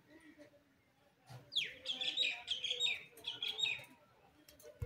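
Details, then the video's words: Newly acquired green parrot trying out its first words, said to be a happy hi and howdy; a sharp descending squawk opens a run of harsh, chattering, speech-like notes, then a short pause and a further burst. "green parrot talking hello hi"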